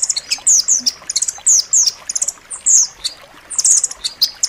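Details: Rambatan loreng nuthatch song used to tutor pet birds: fast high trills interwoven with repeated sharp downslurred whistles, busy and continuous throughout.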